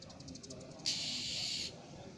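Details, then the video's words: A female Oriental magpie-robin gives one harsh, hissing rasp lasting under a second, after a run of faint, rapid high ticks; a female call used to lure males. "Suara Khas Kacer panggilan betina untuk masteran memancing kacer jantan"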